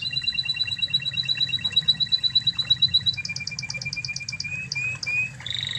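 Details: Spanish Timbrado canary of Spanish origin as a training master: a long even trill of rapid pulses, then a lower buzzing roll with brief swept notes and a short high ending, over low hum.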